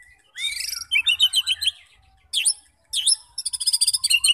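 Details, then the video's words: Bright high song of a White-rumped shama aimed at provoking fighter birds: a squeaky rising phrase, rapid chattering notes, two sharp swooping calls, then a fast ringing trill. "memancing SEMUA jenis Murai batu FIGHTER, GACOR dan BONGKAR Isian"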